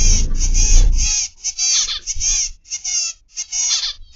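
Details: Zebra finches kept in an aviary, 29 November 2021, afternoon: an opening second of low rumbling, then clear bursts of nasal, honking calls in groups separated by short pauses.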